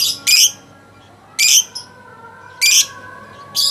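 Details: First-place lovebird from a President's Cup bird contest delivering loud, shrill chattering bursts about a second apart, separated by short pauses, with a soft hum behind.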